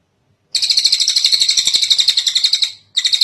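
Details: Kingfisher (tengek cililin) calling in a long recording made as a tutor for training other birds: a fast, harsh chattering rattle of about four notes per second that runs for two seconds, pauses briefly, then starts again.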